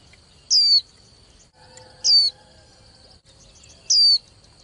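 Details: White-eye female, young, calling to stimulate competing males to sing; three clear descending whistles at even intervals of about one and a half seconds, plus a faint steady high-pitched tone and soft low hum.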